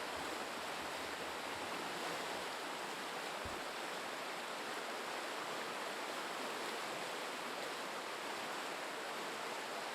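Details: No animal voice in a Vancouver Island forest, only the steady rush of a stream or waterfall filling the whole recording, with one brief low thump early on.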